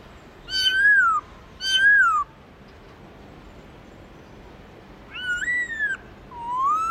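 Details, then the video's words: Black-throated laughingthrush, wild-style song (giọng rừng): two strong downward-sliding whistles in quick succession, a pause, then a wavering phrase and a final long rising whistle. "Khướu bạc má hót GIỌNG RỪNG CỰC HAY"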